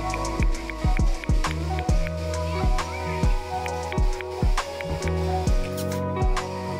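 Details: Rhythmic music with deep, regularly spaced drum hits and sustained tones plays throughout, with no animal sounds.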